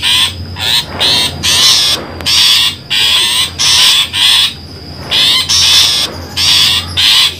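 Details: Long-tailed shrike calls used as a trapping lure: a long series of about a dozen rough, buzzy squawks, each under half a second, with brief pauses between them and a faint steady whine underneath.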